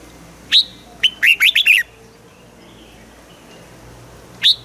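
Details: Red-whiskered bulbul kept in a cage in Thailand, singing southern master-style song for training young birds: a single sharp note, then a fast burst of warbled notes, a long quiet gap, and another sharp note.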